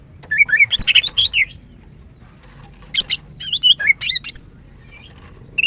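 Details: Female greater green leafbird in morning song, pouring out a fast run of warbled, twisting whistles, then a second varied burst of chirps and trills after a short pause.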